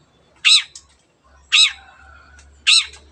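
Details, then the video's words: Long-tailed shrike singing vigorously to get quiet birds singing too: three loud rasping squawks, roughly one per second, with a faint thin whistle and low hum between them. "CENDET GACOR MENJADIKAN YANG DIAM IKUT GACOR the sound of shrike birds"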